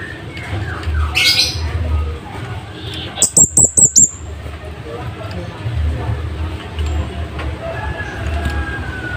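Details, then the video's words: Scarlet-headed flowerpecker used as a master bird for training caged songbirds, song loud and sharp: a quick burst of about five very high, thin ticking notes at the midpoint, with low rumbling background noise and a faint chirp earlier. "Cabean Bunga Api gacor"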